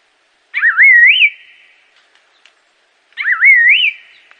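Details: Assam laughingthrush singing two identical whistled phrases about 2.6 seconds apart, each a clear wavering tone that swoops low, then climbs to a high peak and fades with a trailing tail; a few faint clicks between.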